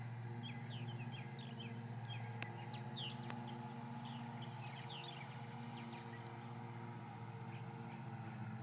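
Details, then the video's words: Many purple martins, probably more than 50, after several hawk attacks; quick clusters of chirps and slurred notes come early, then scattered, fainter ones, with a constant low droning hum and a couple of clicks. "Purple Martins after several hawk attacks"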